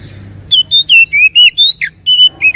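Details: Lure recording of oriental magpie-robin song meant to provoke a silent bird into replying: a rapid phrase of loud, sweet whistles, alternately rising, falling and wavering, with one harsher dropping note.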